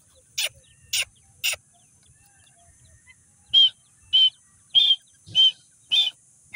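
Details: Grey francolin chicks from Sindh at feeding: three sharp high calls, a pause, then six louder clipped notes with a whistled tone, evenly spaced about every half second.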